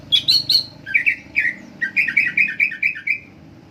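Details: Greater green leafbird singing steadily: clear chirped notes, first high then dropping to a lower series, delivered briskly at around three to four notes per second with no pause.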